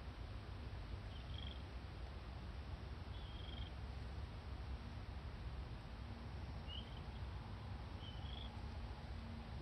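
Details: Young red-crowned crane chick recorded 31 August 2020 at the Akan International Crane Center, giving four brief high-pitched peeping whistles at irregular intervals, quiet against constant low-frequency background hum.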